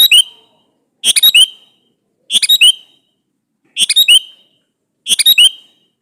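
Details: Male sooty-headed bulbul calling to a female, played as a lure to draw replies: five lively, bubbling phrases of several rapid notes, repeated about every 1.2 seconds in a quiet setting.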